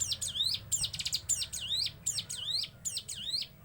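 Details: Hill prinia singing in its "sewing machine" style: a steady series of sharp, downward-sweeping whistled notes, about two per second, with one quick stuttering burst early on, over low background rumble.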